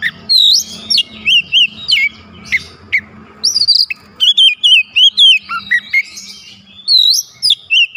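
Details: Oriental magpie-robins singing mimicked fill phrases: dense, loud series of rising and falling whistles and chirps, repeated in quick bursts throughout with brief gaps.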